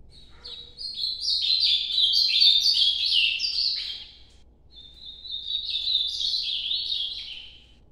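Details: Ultramarine grosbeak delivers two Nordeste-style noturno phrases, each a rising, stair-stepped sequence of quick whistled high notes, separated by a brief pause.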